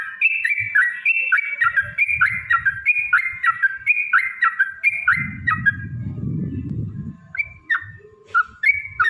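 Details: Yellow-vented bulbul used as a lure to provoke singing and fighting: paired whistled notes, one higher and one lower, repeated about twice a second for several seconds, interrupted by a burst of rough noise, then single slurred calls.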